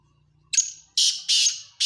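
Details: Black francolin calling: a sharp opening note followed by two loud, harsh, grating rasping notes in quick succession, dry and scratchy, with a quiet low hum underneath.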